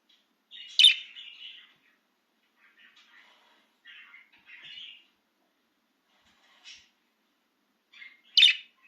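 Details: Excited budgie outside its cage chirps: a loud sharp note with a trailing warble, soft chattering notes, then another sharp chirp after a pause, in an otherwise quiet room.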